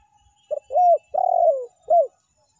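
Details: Spotted dove (tekukur) lure recording in the meratus and melambung call styles. One clear cooing phrase with a short first note, a level coo, an extended rough descending coo, and a crisp falling last note.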